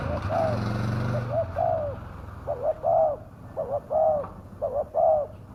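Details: Spotted dove call used as a lure to draw wild doves down, described as fierce-voiced: a low hum at the start, then a run of short double coos, each a clipped note and a longer mellow one, repeated about once a second.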